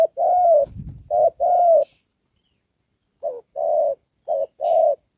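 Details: Spotted dove decoy bird used for trapping, giving the "Đồng Pha" style of coo: four paired phrases, each a short note followed by a longer hoarse coo, two pairs, a pause, then two more, with a dull low thump early on.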